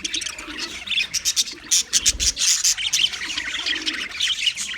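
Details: High, scratchy warbling from an Australian English budgie on February 14, 2024, rising into louder pulsed chirps midway, with a brief low thud in the background.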